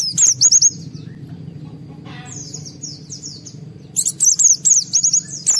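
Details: High-emotion white-eye song meant to set other white-eyes singing: a quick run of shrill high slurred notes, softer distant twitters in the middle, then a loud rapid series of thin descending chirps over low background rumble.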